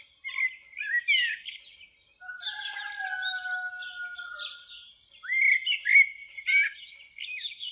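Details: Common blackbird singing varied warbling, slurred phrases, while long, steady, lower whistles from another bird run through the middle of the passage.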